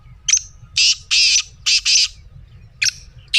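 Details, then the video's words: A black francolin gives a loud grating series. One thin note is followed by four thick, buzzy, rasping notes in rhythmic pairs, then a sharp note and the start of another. "Black Teetar Voice"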